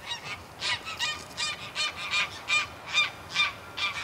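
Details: Greylag geese from a small flock in flight give harsh, nasal honks close up, about every half second, around ten in a row, with soft wingbeats between.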